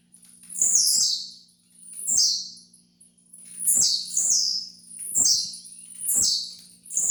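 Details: Tiziu song for bird training: a series of five or six shrill, buzzy falling notes, some doubled, repeated irregularly over seven seconds, with light tapping clicks and a low hum.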